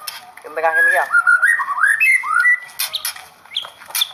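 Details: White-rumped shama, a performance bird, singing a rapid run of clear whistled notes: a harmonic, squawky opening, then gliding rising and falling whistles, ending in sharp high chips.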